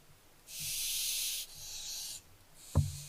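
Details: Barn owlets recorded on 15 July 2024 give long, breathy hisses. Two sustained bursts last about a second each, then a fainter third begins, with a sharp knock or thump near the end.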